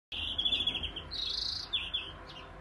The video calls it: Robin Song